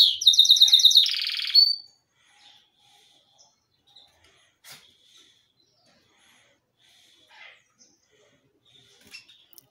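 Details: Yellow Belgian canary pet singing: a short burst of loud, rapid pulsed trilling lasting under two seconds, then near silence with faint scattered chirps.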